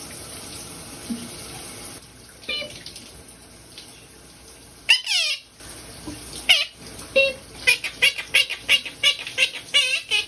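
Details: Pet parrot in a shower under a steady hiss of running water. It gives a loud, falling, squealing squawk, then a burst of short, sharp, repeated squawks and chirps, several per second.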